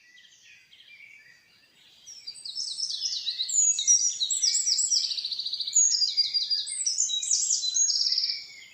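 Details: Common nightingale singing in a forest: after a faint quiet start, loud high phrases begin near two seconds, with rapid buzzy trills, whistled notes and fast repeated pulses in quick succession, several distinct phrases over about seven seconds.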